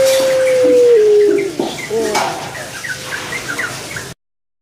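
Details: Captive puter pelung, a Barbary dove, sings a sustained, even coo that slides down in pitch and ends in a short lower hoarse note. Scattered high twitters from other birds follow before the sound cuts off.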